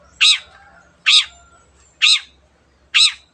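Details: Long-tailed shrike in active song, sung to spur silent birds into singing: four loud, harsh, buzzy notes spaced a little under a second apart, each a broad rasping burst, with a faint low hum beneath.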